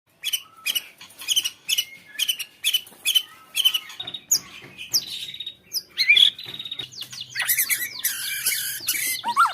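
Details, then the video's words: White-rumped shama song used to stimulate other shamas to sing: a brisk series of repeated short high chips, followed by varied whistles and a dense burst of buzzy, chattering high notes near the end. "muraibatu gacor cocok untuk suara pancingan agar murai batu bunyi"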